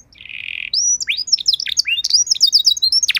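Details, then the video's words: Canary song used as a master and prompt recording to teach other canaries a rich song: a short buzzy nasal note, then a quick run of high whistled down-slurred notes and sharp chirps. "Masteran dan Pancingan Burung Kenari Biar Punya Lagu Mewah!"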